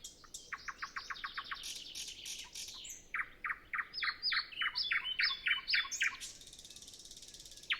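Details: Early morning before sunrise, no wind, with no other birds singing: a nightingale delivers a fast series of about a dozen repeated sharp notes, then rhythmic chunky double notes, and a soft rattling trill. Recorded with a Zoom F6 and Sennheiser MKH 8040.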